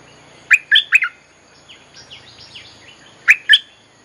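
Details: Bulbul song used to lure wild birds, three bright bubbly notes, a stretch of soft descending chirps, then two more loud liquid notes near the end.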